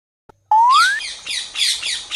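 A parrot gives a rising whistle, then a quick run of harsh, grating screeches about three times a second.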